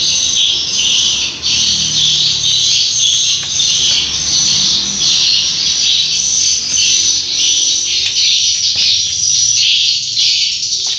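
A dense, continuous chorus of many swiftlets, high chittering and twittering notes overlapping without pause, loud and echoing as in an enclosed space.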